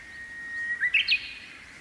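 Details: Japanese bush warbler, wild, singing from the tip of a silver grass spike on a May morning: a held, even whistle that breaks into a rapid rising flourish of three clipped notes, over quiet outdoor noise.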